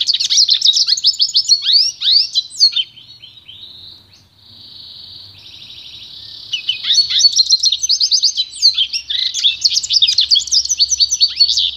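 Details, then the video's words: Pintagol (goldfinch × canary) pure song: energetic twittering, then a sustained smooth whistle and a steady buzzy roll, followed by renewed fast chattering trills. "canto puro do pintagol"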